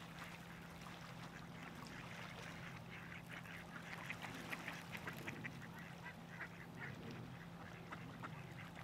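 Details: Mallards at Zbiljsko Lake on 28 November 2023 quack steadily, many short nasal calls overlapping from a gathered flock, over a constant low hum and background rumble.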